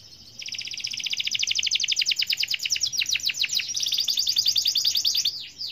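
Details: A canary in full 'gacor' song: after a soft start, a long, dense rolling trill of rapid chirped notes, changing into faster buzzy rattles and ending with a swooping note.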